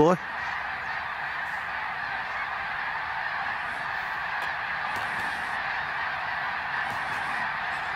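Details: Hundreds of thousands of greater snow geese flying over Ottawa, Canada, on autumn migration in 2021: a steady, blurred wall of distant honking from the massed flock, with no single call standing apart, and a faint hiss of air.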